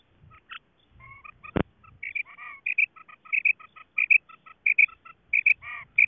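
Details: Female quail calling in Khyber Pakhtunkhwa, Pakistan, a call used to lure quail for hunting and netting: short high clipped notes, often in quick pairs, repeated briskly and unevenly, with one sharp click and faint low rumbling.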